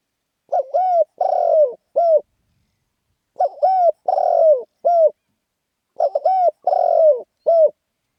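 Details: Spotted dove calling in the lively khan yon crowing style: a hoarse, mellow phrase of four or five cooing notes, with a long downward-slurred middle note, repeated three times about every two and a half seconds in quiet surroundings.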